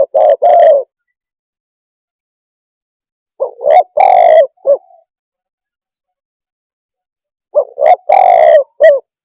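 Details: Three well-separated cooing phrases from a spotted dove, each of quick short notes, one long deep coo and a short closing note, with about three seconds of silence between phrases.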